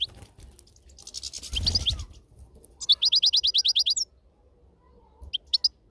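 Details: European goldfinch outdoors, a rapid run of about eleven bright high chirps in one second, then a short pair of notes later, after a rustling noise early on.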